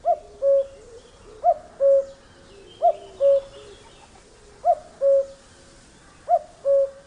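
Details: A male Common cuckoo (Cuculus canorus) gives its spring song in Britain, the familiar two-note 'cuck-oo' with the second note lower, repeated about every one and a half seconds, with faint chirps from other birds behind.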